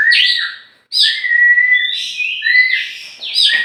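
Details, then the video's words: Oriental magpie-robin, a tame champion songbird from Meulaboh, Aceh, flying free before caging: bright drawn-out whistled phrases, some held steady, others sliding up and down, in strong continuous song with one brief gap. "kacer juara yg bernama predator di lepas2 liar dulu sebelum di gantang"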